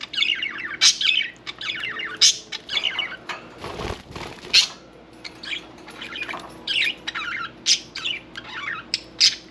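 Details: Pet budgerigars with one bathing give sharp squeaks and rasping warbles in quick bursts, with a brief splash or flutter in the middle.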